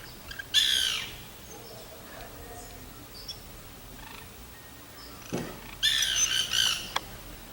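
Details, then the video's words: White woodpecker (Melanerpes candidus) in an urban São Paulo garden gives two harsh, squawking bursts about five seconds apart, the second a short rattling series of grating notes, against a quiet outdoor background. "PICA-PAU-BRANCO * * WHITE WOODPECKER"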